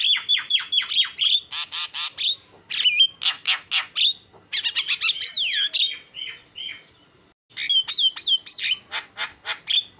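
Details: Javan myna (jalak kebo) singing energetically, a fast song meant to get other mynas singing: rapid bursts of harsh, chattering notes mixed with sharp whistled upslurs, uneven phrases with a short pause near the end.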